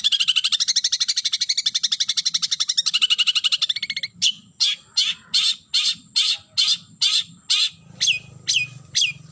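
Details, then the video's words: Long-tailed shrike calling to a rival: a long fast rattling trill for four seconds, then evenly spaced harsh grating notes roughly every half second, some ending in a downward slur. "Suara Burung Cendet Memanggil Lawan"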